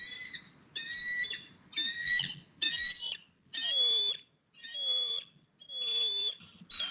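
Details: Bald eagles at a Pittsburgh nest on an egg, 7 February 2022, 5 pm, with the male bringing the female a fish; shrill, piping whistles are repeated in quick bursts, some sliding downward.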